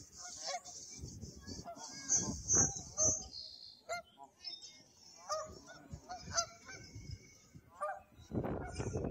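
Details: Canada geese flying overhead at Pier 4, more and more passing over: loud, nasal honks repeated irregularly and often overlapping from several birds, with a steady high hiss and some low rumbling noise underneath.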